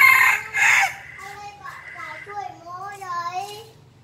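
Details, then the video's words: A five-month-old red junglefowl gives a fierce, drawn-out, wavering crow lasting about two and a half seconds, after a second of loud, harsh noise and a low hum. "Gà rừng năm tháng tuổi gáy cực gắt"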